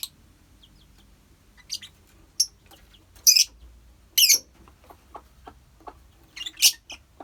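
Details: Lovebird colony, kept for bird therapy, giving scattered sharp high chirps and short shrill bursts with quiet gaps between.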